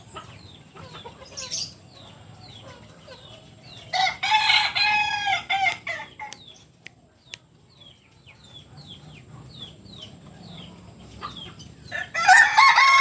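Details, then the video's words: Red-hackled Kukuak Balenggek rooster from Solok, West Sumatra, landiak-class crowing: a rich harmonic crow of stacked syllables in the middle, another crow starting at the end, and small birds chirping steadily throughout the quieter gaps. "Ayam kukuak balenggek... biriang merah kelas landiak...asli solok sumbar.."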